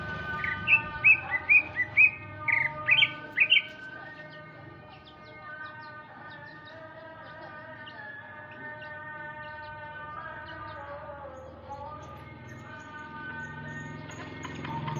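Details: Male Sumatran greater green leafbird singing in the afternoon: a quick burst of bright, sharp chirped notes over the first few seconds, then a steady, layered humming drone with faint notes for the rest.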